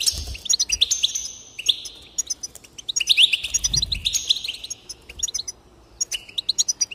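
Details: Energetic goldfinch song, meant to stimulate singing: dense bursts of sharp high notes and buzzy trills, a busy stretch in the middle, then sparser chirps toward the end.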